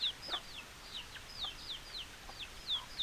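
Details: Chickens: a flurry of thin, high, falling peep notes, roughly three or four a second, from a few birds over soft background noise.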